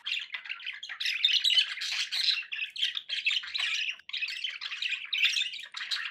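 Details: Indoor budgerigar chatter with steady overlapping twittering and harsh squawky notes, plus a brief silent gap partway through.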